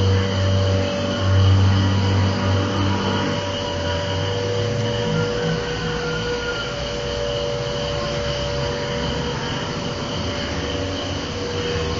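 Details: A steady mechanical hum with low engine-like rumble, like a passing vehicle or train, and no clear animal calls.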